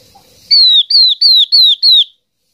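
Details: Yellow-eyed babbler decoy call for gathering a flock: five loud, high whistled notes that slur downward, about three per second; nothing else is heard.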